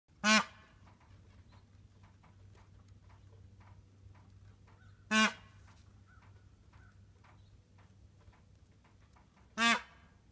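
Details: Peacock honking as a greeting; three loud, short, harsh nasal blasts spaced about five seconds apart over a quiet, steady low hum.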